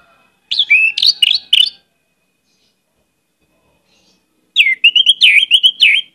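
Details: Orange-headed thrush in full, varied song for luring other birds: a choppy cluster of jumping, bright whistled notes, a few seconds of silence, then a longer run of rapid slurred and warbled notes.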